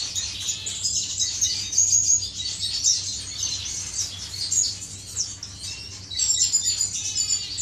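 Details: Aviary finches during courtship, producing a busy mix of high twittering chirps and short rapid trills from several birds at once, with loud bursts near the start and the end.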